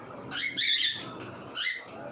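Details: Cockatiels calling at feeding time indoors: two harsh, screechy chevron-shaped squawks, the second louder and longer, then a fainter third note.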